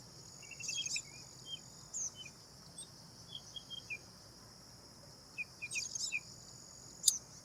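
A black drongo gives short, high, metallic chirps and sharp squeaky notes in two bursts a few seconds apart. A faint steady insect hiss runs underneath.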